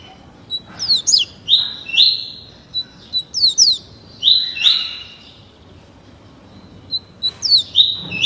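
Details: Double-collared seedeater, a captive young bird only 30 days old, tutored in the tuí tuí Alcântara song style: bright whistled notes with quick downward slurs, given in short bursts separated by pauses.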